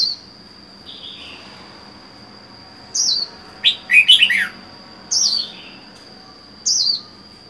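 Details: Lone caged red-whiskered bulbul, in captivity four months after capture, gives clear falling whistles and a quick run of bright chattering notes, with phrases spaced one to two seconds apart against a constant faint high hum.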